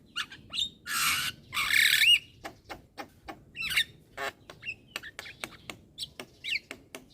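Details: Young Javan myna, nodding its head, chatters without stopping: two long rasping hisses, then rapid clicks and brief squeaky twisted notes in irregular succession.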